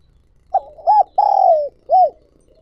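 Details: Spotted dove used as a lure for wild doves gives a soft lead-in note, then a short coo, a long sliding coo and a final rounded coo, all low and hollow in a quiet setting.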